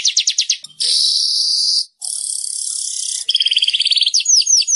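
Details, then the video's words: A gacor (in full song) manyar weaver gives a high, busy song: quick chattering notes, then long buzzy sizzling runs, ending in rapid repeated chips and sharply falling whistled notes. Used as master song for canaries. "Suara burung manyar gacor"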